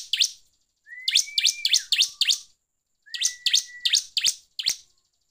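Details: Loud 'gacor ngeplong' song of a bar-winged prinia played as a lure to provoke other prinias: bursts of five or six sharp, high chirps in quick succession over a thin rising whistle, separated by short silences.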